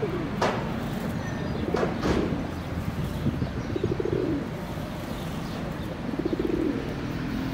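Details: Feral pigeon (Columba livia domestica) in Prule, Ljubljana, Slovenia, on 29 May 2023, giving low, throaty rolling coos, several in a row over a few seconds, with faint wing claps and background hum.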